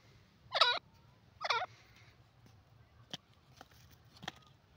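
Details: Francolin calling: two loud, harsh, ringing notes about a second apart, each a stack of quickly wavering tones, followed by a few sharp faint clicks and taps against a quiet low hum.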